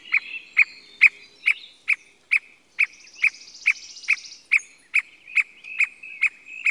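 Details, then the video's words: Squirrel cuckoo filmed in Costa Rica during 2021 trips: loud, abrupt notes repeated at a steady pace of about two per second, fifteen in all, with a brief high insect buzz in the middle. "CUCO ARDILLA COMÚN"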